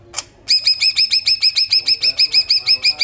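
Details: Greater green leafbird giving besetan song, used to stimulate untrained birds: after one brief squeak, a steady, rapid series of bright, clipped, identical notes repeats about three times per second without a break.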